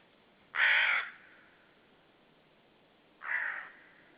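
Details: Unseen common raven calling near a white-tailed sea eagle nest at Saunja, Estonia, 18 March 2013: one strong hoarse rasp, then after a pause of nearly three seconds a second, softer and shorter rasping call over faint background hiss.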